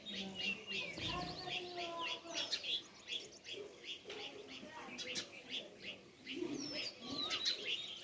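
Busy overlapping sparrow chirps, short bright notes tumbling at about three a second, with other small birds and a faint low voice or hum underneath.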